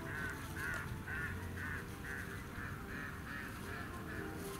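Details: A mallard at a children's zoo in Chiba, Japan, in December, gives a steady series of short nasal quacks, about two a second, over a low background rumble.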